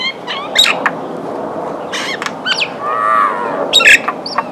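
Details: Common myna gives a jumble of harsh chattering notes, clicks and short whistles, with a gurgling phrase midway; a light background hiss throughout.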